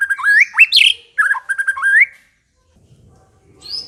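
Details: White-rumped shama giving a short energetic song burst of looping, rising whistles and a harsh buzzy note, then silence and a faint high whistle at the end.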